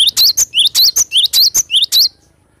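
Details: Glatik batu, the cinereous tit, singing actively (gacor) in nature: a steady series of about nine loud, high, ringing two-part notes in two seconds, then silence.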